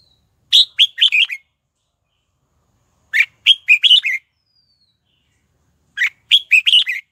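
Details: Red-whiskered bulbul used as a lure to call wild bulbuls to fight, repeating one phrase three times at about three-second intervals: five or six clear, rapid whistled notes that bounce up and down. Nothing else is heard.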